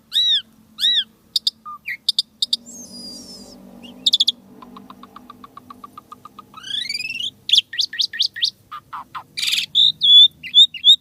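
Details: Asian pied starling in isian tembakan song with unusual sounds: arched whistles, a soft low chattering run of evenly spaced notes, rising slurs, fast bright chirps, and a closing series of short high whistled notes.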